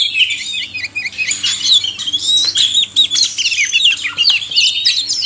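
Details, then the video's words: Male and female oriental magpie-robins in a chorus used as therapy for caged birds that will not sing; busy, varied high whistled phrases, quick chirps and sharp clicks pour out nonstop, several voices overlapping, over a faint steady low hum. "suara kacer/sekoci jantan dan betina"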